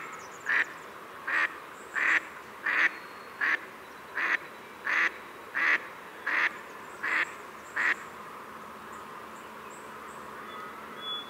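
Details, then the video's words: A long run of about ten regular nasal quacks from a Pacific black duck, one every 0.8 seconds, then the calling stops and only background hiss remains. "Pacific Black Duck Call Song Sound"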